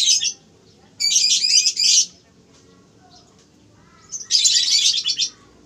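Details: Canaries at a breeding farm: bursts of dense, rapid, high trilling song lasting about a second each, with a quieter gap and a low background hum between them.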